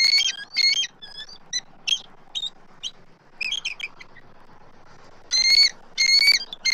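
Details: At a southwest Florida eagle nest on 12 March 2024, adult eagles give high, thin, squealing chatter in quick broken bursts, then two loud, piercing squeals, calling as an immature intruder eagle circles the nest tree. Faint low rumble.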